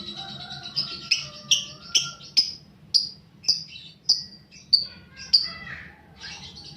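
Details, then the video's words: Young paud-type fighter lovebird on a lure recording meant to spur other lovebirds: shrill, high chirps repeated roughly every half second, each short and sharp, with a faint low hum beneath. "pancingan burung lovebird paud balibu fighter mp3"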